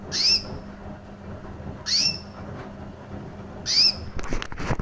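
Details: Female recessive white canary, around a year old, with red-factor eyes, calling: three high, rising chirps about two seconds apart, then clattering noise at the end.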